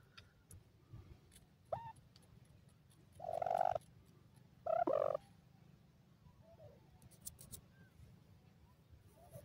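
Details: Happy dakhni teetar (grey francolin) chicks give two loud, harsh, buzzy calls a second apart in the middle, with faint softer chirps and ticking clicks around them, over steady low hum.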